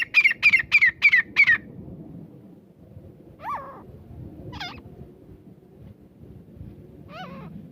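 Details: Desi grey francolin calling: five loud, shrill, slightly falling notes repeated rapidly in a burst, followed after a pause by scattered, softer upslurred and looping notes over a low background hum.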